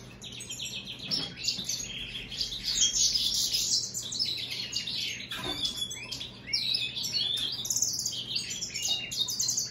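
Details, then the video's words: American goldfinch and European greenfinch hybrid singing a rapid, continuous twittering warble of high chirps and trills with short buzzy notes, with a faint steady low hum in the background. "هجين الحسون الامريكي مع الخضري"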